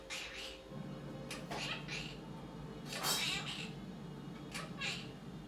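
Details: Young male pet Quaker parrot, aged a year and a half, making noises indoors: raspy, meow-like bursts repeated irregularly, about five in five seconds, with faint voices and music in the background.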